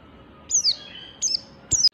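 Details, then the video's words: Oriental white-eye in standard ngalas style, meant to provoke others to sing: three separate high, squeaky chirps, each dropping sharply in pitch, spaced about half a second apart. "Pleci Ngalas Standar Memancing Pleci Bunyi"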